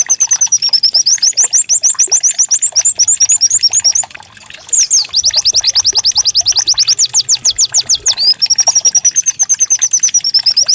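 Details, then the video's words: Canary-like white-eye lure song aimed at making the bird sing: rapid high twittering, a short silence, then fast repeated downward sweeps giving way to a sustained high trill. "Pancingan pleci agar cepat buka paruh || pleci serasa canary"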